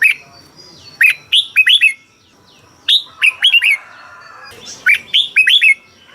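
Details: Thai cage-kept Red-whiskered bulbul singing for training or to rouse birds. Three neat phrases about two seconds apart, each of four or five bright, slurred, hook-shaped whistles.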